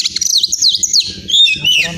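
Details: Oriental magpie-robin, a champion bird from Pemalang, Central Java, Indonesia, singing a rapid, varied jumble of high whistled phrases and chattering notes, with low soft thumping sounds beneath.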